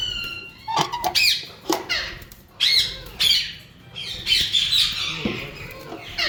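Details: Yellow Indian ringneck parakeets from a breeding pair make uneven bursts of short, raspy squawks and clipped chattering notes, some stacked and sharp, separated by brief pauses.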